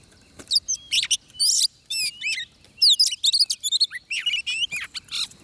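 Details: Oriental magpie-robin singing while being trapped, fighting-song style: a continuous, rich jumble of rapid chirps, slurred whistles and scratchy notes packed closely together with barely any pauses.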